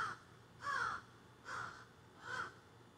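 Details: Crows that have flown into trees behind a garden squawking, recorded on a phone: three harsh, hoarse caws spaced about eight tenths of a second apart, with faint background hum.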